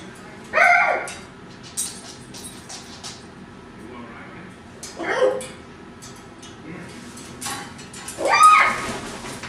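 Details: A pet hyacinth macaw makes its recent odd "monkey" noises, likened to a squeaking pantry door: three short, squeaky, nasal calls separated by several seconds of quiet.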